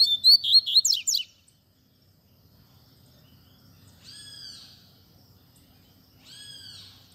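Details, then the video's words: Double-collared seedeater in Tui Tui Zel Zel style, a tutoring recording for young birds: a rapid twittering phrase of high looping whistles, silence, then two separate drawn-out arched notes, evenly spaced about two seconds apart. "Encarte Coleiro Tui Tui Zel Zel Cantando Ao Som Da Natureza"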